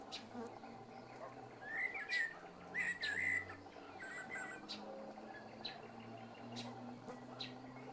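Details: Common blackbird giving its calm, unhurried evening song: mellow warbled whistled phrases around two seconds in, then a higher twittering trill, over a steady low hum of mosquitoes and faint background chirps.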